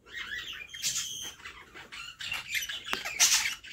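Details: In a nest box, a female budgerigar feeds her chicks amid scattered squeaky, wavering high calls and harsh raspy bursts, with quieter gaps between.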